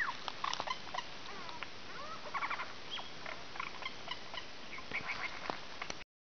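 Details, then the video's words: A Lyrebird about an hour from Melbourne, Australia, mimics a squealing piglet and the snort of a wild pig in a rapid jumble of squeals, snorts and clicking bursts, over a steady background hiss. "Lyrebird making Piggy Noises"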